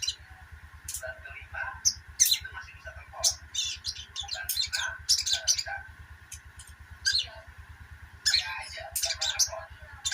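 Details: Sogok ontong chirping, meant to encourage birds that have gone quiet; sharp, high chirps in irregular clusters with short gaps, over a constant tonal hum and low pulsing background.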